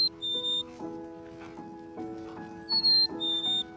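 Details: Black-capped chickadee (Poecile atricapillus) in Mill Creek Ravine, Edmonton, whistles its clear two-note fee-bee song twice, the second note slightly lower, over soft background music. The song is used in courtship and to defend territory.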